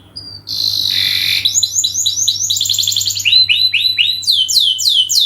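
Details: Canary in long song used to lure, opening with a flat whistle and buzzy tone, then repeated rising-falling chirps, rapid trills and bright downslurs, with a steady low hum beneath.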